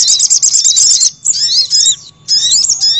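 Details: Sogon call used as a lure to attract wild birds: a rapid, high, buzzy chattering trill for about a second, then short bursts of squeaky, slurred whistled notes separated by brief pauses.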